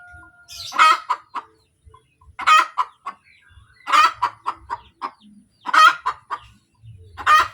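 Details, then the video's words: Hen cackling after laying an egg: loud harmonic squawks every one and a half to two seconds, each followed by a run of short clipped clucks, with soft low thumps beneath. "SUARA AYAM SETELAH BERTELUR | AYAM BERKOTEK | AYAM BETINA BERTELUR"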